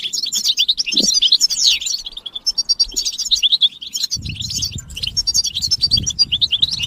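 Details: European goldfinches calling together to push a male out of silence into song: continuous high twittering and trilled phrases, with a low rumbling noise entering midway and a soft knock early on.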